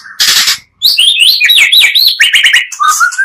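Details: Magpie-robin song combining two birds, used as a lure to raise excitement: harsh rasping burst, brief silence, then a rapid run of bright whistled slurs and trills ending in a sliding whistle.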